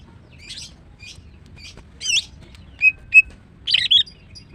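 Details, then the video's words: Female greater green leafbird, a caged songbird, in morning song: a few soft scratchy high notes, then two clear short whistles and a final burst of squeaky warbled notes. "Ampuh TERAPi MACET BUNYI dengan CUCAK IJO BETINA"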